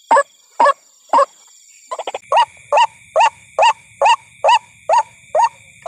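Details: At night beside a corn field, a white-breasted waterhen (ruak-ruak) gives three spaced croaks, a quick stuttering burst, then a regular run of rough notes about twice a second, over a faint low hum.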